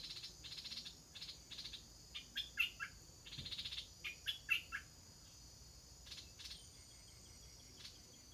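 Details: Bulbul chicks (stripe-throated) about to make their first flight: rasping, buzzy calls repeated in loose clusters roughly every half second, loudest in the middle, then sparse notes, with a continuous high-pitched hum behind.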